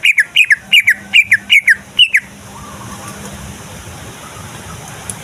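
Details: A greater green leafbird sings to provoke other leafbirds into song and fighting: six paired, sharp whistled notes repeated about twice per second, then the song stops, leaving a low background hiss.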